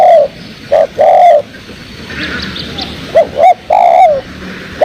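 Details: Spotted dove coos for luring birds into traps: low mellow hooting notes, short then drawn-out and gently falling, with a pause midway where faint high chirps of other birds come through before the cooing resumes.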